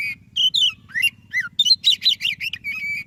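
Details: White-breasted Oriental magpie-robin in lively song, recorded to coax idle magpie-robins into singing: varied rising and falling whistles, a fast run of rippling notes, then a steady flat whistle, over a soft low hum.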